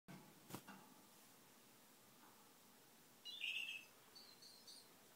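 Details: A goldfinch mule (goldfinch × canary hybrid) sings a brief, bright twittering phrase of high, quick chirps.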